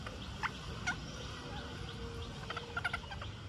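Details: Green parakeet at feeding time giving short, harsh squawks: a single note, another a half-second later, then a quick burst of four or five, over a low rumbling background.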